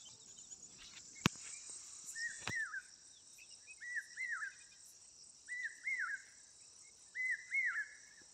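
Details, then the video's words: Four repeated two-note calls from an Asian koel, each a pair of clear upswept whistles about every one and a half seconds. Two sharp clicks come early, and an insect hum persists throughout. "कोकिळाचा आवाज"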